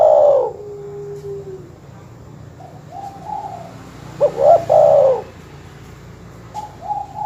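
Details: Dove master call meant to provoke rival birds: a loud coo ending opens the clip, faint distant coos follow, then one clear stuttering, rolling coo phrase, with a softer coo at the end.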